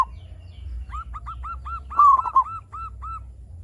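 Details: A lure recording of a strongly singing local zebra dove to set other zebra doves calling: a steady run of soft hooked coos about four per second, with one louder slurred phrase of clipped notes breaking in midway, over low hum.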